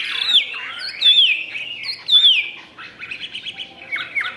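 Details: Chinese hwamei in a cage, tail spread wide, giving rich whistled phrases that swoop down and up about once a second, followed by softer twittering and warbled fragments.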